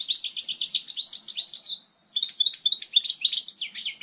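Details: Clear European goldfinch song for teaching young birds: fast tinkling notes at about four per second slide downward, then a brief pause, then more jumbled high twitters and chirps.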